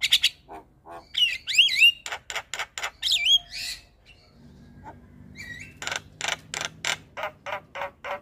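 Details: Javan myna (jalak kebo) morning calls meant to make other mynas respond: sharp clicks and rattled notes mixed with rising and falling whistles, then a run of evenly spaced harsh chips, with a low hum in the middle.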